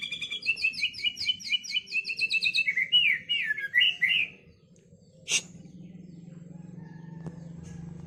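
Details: White-rumped shama song with kapas tembak and lovebird material: a quick stuttering trill, then loud twisting slurred whistles, a sharp click and steady low hum afterward.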